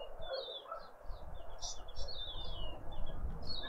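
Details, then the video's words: Wild birds at a feeder in a suburban garden in Pretoria, South Africa: quick high chirps and short descending whistled slurs follow each other rapidly and irregularly, over steady low rumbling background noise. "sounds of South African Birds"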